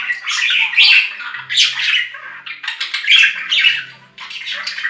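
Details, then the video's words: Budgerigar giving loud scratchy squawks mixed with rapid warbling chirps, falling quiet briefly near the end before resuming. "3 Hour Budgie Sounds for Lonely Budgies"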